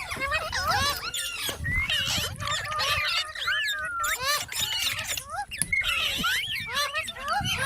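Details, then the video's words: Parrot talking, dense nonstop chatter of overlapping harmonic calls that swoop up and down, some short and bent, others longer glides, with scratchy noisy bursts between them and a low rumble beneath. "Amazing parrot talking |Parrot sound | Parrot voice | Tote ki Awaaz | mitthu mitthu"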